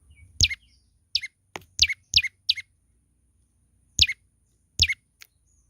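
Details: Lively singing from a young olive-backed tailorbird: loud, high chips that slide downward, first in a quick cluster of several, then two more after a pause, with soft clicking sounds between them.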